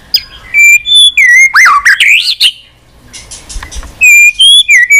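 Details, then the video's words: White-rumped shama in long, persistent song with many unusual voices, prompted to sing with tail-flicking; loud clear whistles, sharp up-and-down sweeps, a pause with soft rustling, then a run of bright repeated whistled notes. "chòe lửa hót cực bền.hót liên tục"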